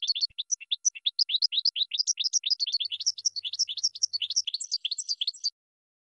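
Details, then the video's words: Cage-bird training song of a European goldfinch, a steady flow of quick tinkling chirps and rising twitters, lively and unbroken for over five seconds, with no other sounds. "Chardonneret 12h Goldfinch (Training Song)"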